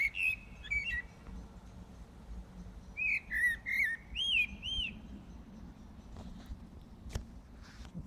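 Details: Brussels, Belgium, early on 15 January 2018: a blackbird singing in the dead of night with two bursts of looping, rising and falling fluted whistles separated by a short pause.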